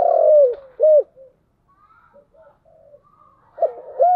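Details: Spotted dove singing in the giọng đồng style: the end of a long falling coo and a short rounded note, quiet low mutterings, then a new phrase beginning with rising coos.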